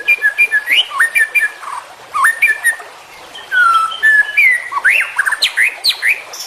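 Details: White-rumped shama (murai batu) delivering varied full-isian masteran song: rapid choppy notes, a long falling whistle, then sharp upward-sweeping phrases.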